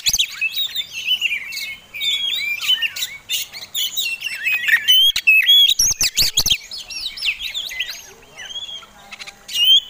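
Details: Contest-type fighting Oriental magpie-robin giving a lure song to excite other birds: rapid, varied whistles and slurred notes interspersed with loud hard clicks, delivered in quick irregular bursts.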